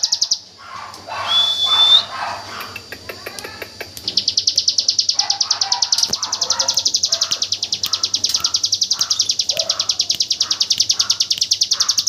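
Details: Hill prinia, AK47-style burst song meant as tutor audio for white-rumped shamas: a loud mixed chirping passage with one rising whistle, then a long high machine-gun trill of rapid identical notes, softer bird calls below.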